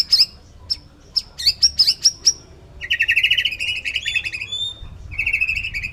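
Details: Male white-rumped shama singing: a run of sharp, high whistled notes, then long rolling buzzy trills at a lower pitch, broken by a short pause, with a low hum underneath.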